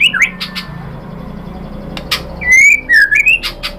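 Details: White-rumped shama singing as a provocation for other birds: brief whistled notes at the start, a quiet gap with a low hum, then clear slurred whistles and a few sharp clicks near the end.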